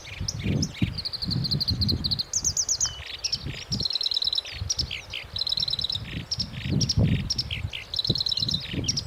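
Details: Black-browed reed warbler (Acrocephalus bistrigiceps), song.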